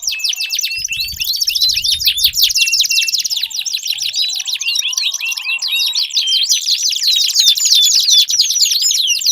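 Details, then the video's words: Long canary song meant to stimulate a caged canary that has stopped singing; rapid high sweeping notes run together into dense trills and rattles, with faint low thumps early on. "Pancingan Ampuh Kenari Gacor Panjang, 4 Suara Burung Kenari Ampuh Untuk Pancingan Kenari Macet Bunyi"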